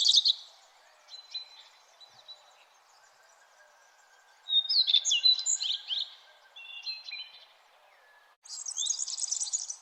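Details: Early morning birds at sunrise: scattered high thin chirps and short whistled phrases, a busier burst of overlapping twittering midway, then a dense high jingle at the end.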